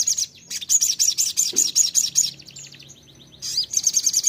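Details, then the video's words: Ruby-cheeked sunbird (sogon) lure song, played to make a kept sogon start singing: very high, rapid chattering trill of sharp notes, broken by a brief pause and a thin sliding whistle, then the fast trill resumes. "pancingan sogon suara seperti ini bikin sogon anda cepat Nembak"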